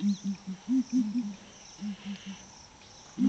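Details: Ground hornbill booming one morning at Flatdogs Camp: deep, soft hooting notes in quick clusters of two or three, pausing between groups, with a faint insect hum behind.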